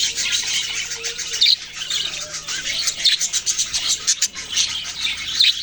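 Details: A flock of baby budgerigars chirping: rapid high tweets and scratchy squeaks overlap in a steady stream, with louder bursts every second or so.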